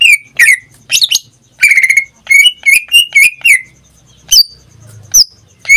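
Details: Caged greater green leafbird sings bursts of bright whistles and quick chirps, then pauses with a few higher single notes.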